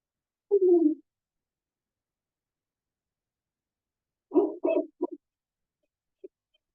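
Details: Barred owl, males calling back and forth to claim territory, the call rendered as 'who cooks for you, who cooks for you all': a drawn-out descending hoot, a pause, then a burst of rhythmic hooting notes and a final short hoot, no other sounds.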